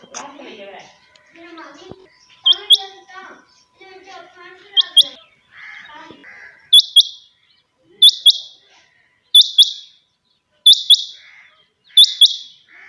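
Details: Kept quail calling early in the morning; after several seconds of voices and mixed chatter, sharp high double notes ring out about every 1.3 seconds, each pair bright and clipped.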